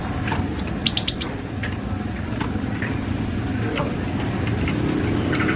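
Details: Cinereous tit singing keenly, used to spur other tits to sing: one quick burst of four bright, very high repeated notes near the start, followed by quiet background hum with faint clicks.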